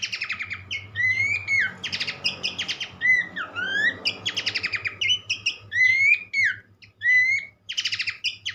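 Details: Horsfield's babbler (pelanduk semak), singing in a recording aimed at prompting other birds. Rapid chattering trills mix with short rising whistles, over a noticeable band of low rumbling background noise.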